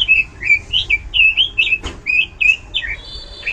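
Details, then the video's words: Bright, loud robin song of rolling whistled phrases, smooth and fluty, repeated rapidly; one sharp knock cuts in midway and a thin high whistle ends it. "ROBIN GACOR SUARA LANTANG DAN VARIASI"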